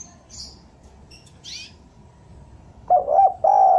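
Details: Spotted dove used as a lure for wild doves. Scattered high chirps and a swishing sound come first, then one cooing phrase of short notes and a long coo that runs to the end.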